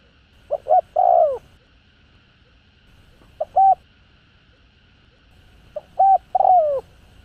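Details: Spotted dove used as a lure bird, giving hollow coos in phrases of short notes ending in a drawn-out downward slur, three phrases spaced a few seconds apart in a quiet setting.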